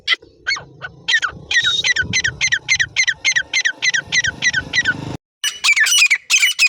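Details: Partridge (teetar) calling in a fast run of harsh, scratchy notes, about three to four each second. The notes break briefly, then resume at the same pace, over a low background hum.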